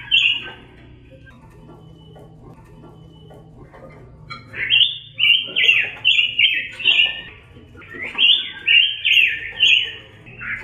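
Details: Red-billed leiothrix, known in Indonesia as pancawarna and used as a master bird for tutoring other songbirds, singing clear, rich warbled phrases in bursts after a quiet start, roughly two phrases per second, with low background hum.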